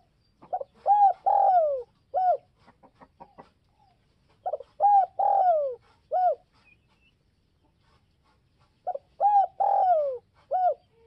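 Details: Spotted dove calling to lure and provoke other doves: three repeated phrases about four seconds apart, each of quick short notes, a long downward-sliding coo and a crisp closing note, with faint clicks between.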